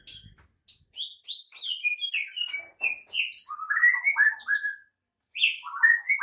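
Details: Caged white-rumped shama master song for training: a softer varied string of whistled slurs, high notes stepping downward, then lower rising and falling phrases after a brief pause.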